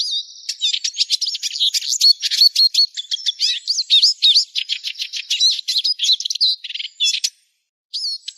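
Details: Eurasian siskin in fast, continuous high twittering song: rapid mixed chirps, trills and slurred whistles run together for about seven seconds, then a brief pause and one more note.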